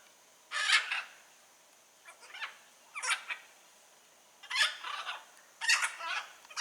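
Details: Wild blue-and-yellow macaws: harsh, grating two-part squawks, about five loud bursts separated by short silences.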